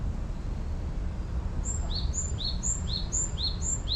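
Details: Wild birds singing, heard as a calming sound: a series of short, high, bright chirps in pairs, one note above another, repeated about twice a second from mid-clip onward over a steady low rumble.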